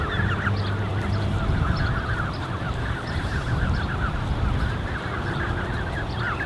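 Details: Creche of Canada goose goslings, about 34 young tended by two adults, June 2015; a steady wash of high thin peeps, quick and overlapping, over low outdoor rumble.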